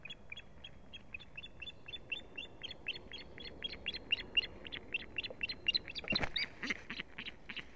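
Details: Female osprey at a live-streamed nest under attack by strange ospreys, 1 May 2017: a fast, steady chatter of high piping notes, several per second, growing louder, with a brief thump of noise near the end.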